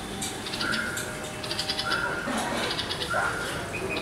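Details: Red-vented bulbul parents calling near a 10-day-old fledgling that has left the nest on its first flight and landed on the ground; short clear notes repeated about every second, with other distant birds and faint background noise.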